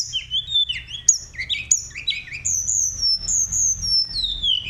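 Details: Sunda robin in a lively, rolling, flute-like song of high whistled notes, some slurred downward, others steady and ringing, delivered in quick varied phrases over a faint low hum.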